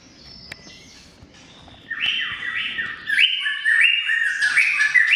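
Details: Greater green leafbird (cucak ijo) in long 'gacor' chattering song: after two quiet seconds, loud rapid whistled phrases sweep up and down, repeated notes switching quickly between pitch levels, with a faint background hum.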